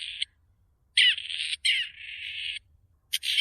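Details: Harsh, creaky calls of a Grey Partridge: a brief scratchy note, then two long grating phrases run together, and a final rasp starting at the end; a faint low rumble underneath.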